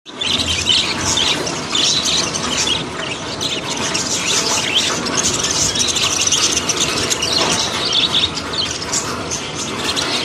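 Budgerigars chatter nonstop in high, scratchy chirps, squeaks and warbles.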